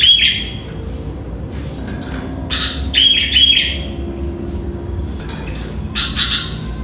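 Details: Sooty-headed bulbul singing in the morning around five o'clock, loud and persistent: short bursts of harsh, bright chirps spaced a few seconds apart, over a steady high background tone and faint low rumble.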